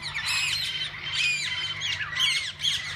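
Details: Walk-in aviary full of different parakeets that visitors can feed and hold; loud, dense, harsh squawking and chattering from several birds with arching buzzy notes repeated in quick bursts over a constant low hum.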